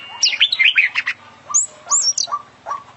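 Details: International champion oriental magpie-robin singing full isian song: a fast tumbling run of twisting whistles and trills, then high clear whistled slurs alternating with short lower notes.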